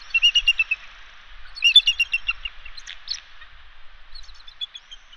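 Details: Bald eagles trading incubation of eggs at the West End nest, Catalina Island; two loud bursts of quick, high chittering notes, the second followed by scattered softer squeaks and fading piping calls.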